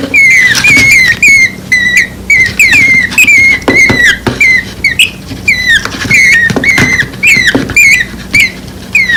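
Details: Two nestlings under one week old, their nest moved to the ground after palm trees were cut, call for their mother: rapid shrill chirps, each dipping slightly in pitch, repeated in quick bursts. Sharp clicks and tapping sounds break in throughout.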